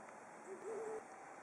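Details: Brown wood owl calling: a short faint lead-in note followed by a low, slightly quavering hoot, with steady hiss behind.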